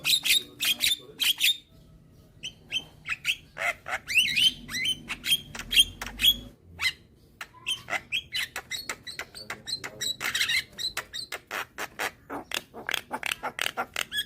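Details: Young white-eyed Javan myna calling with head-bobbing to lure hybrid mynas: long run of sharp clicking notes and thin high whistles, a quieter stretch, then rapid repeated dry chacks.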